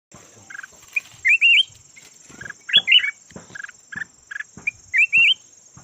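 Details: Yellow-variant red-whiskered bulbul kept as a decoy bird, calling to lure others: short bubbly phrases of rising, zigzag whistled notes alternating with brief lower chirps, spaced irregularly, over a steady thin high-pitched whine.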